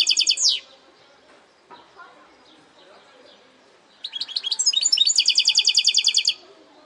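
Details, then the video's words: Goldfinch hybrid (saka melezi) song in a segmented style: a short loud buzzy high burst at the start, near-silence, then from about four seconds a fast run of bright twittering notes into a steady rapid trill. "Saka Melezi Parçalı ötüm"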